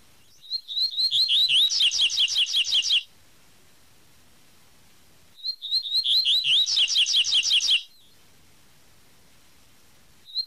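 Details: Double-collared seedeater giving its "tui tui" song, two full phrases about two and a half seconds each and separated by a similar silence. Each starts with clear looping whistles, then quickens into rapid, ringing doubled notes; a third phrase starts at the end.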